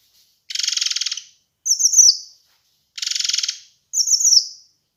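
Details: Kinoi bird master recording for bird training and luring. Two matching phrases, each a dense, buzzy, high rattle followed by a bright, sliding series of sharp twittering notes, evenly spaced about two and a half seconds apart.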